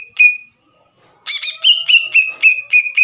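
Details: Green leafbird song used to provoke a rival into singing: one whistled note, a pause, then a quick run of about eight sharp chirped whistles repeated roughly every quarter second.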